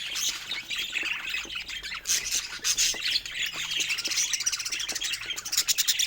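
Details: Playful pet budgies produce an unbroken stream of thin chirps, raspy warbles and brief squawks, the chatter swelling and fading in short waves.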